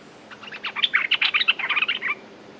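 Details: Streak-eared bulbul; song; territorial male challenging rivals, ready to fight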